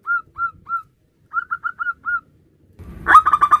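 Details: Male zebra dove of a local strain calling its mate with three spaced soft cooing notes, then a quicker group of five, ending in a sudden loud, rough burst of rapid coos.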